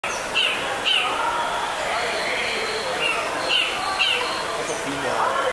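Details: Micronesian (Guam) kingfisher at Philadelphia Zoo, March 2023, gives short, harsh, scratchy notes in loose pairs about half a second apart over a steady murmur of background voices and noise.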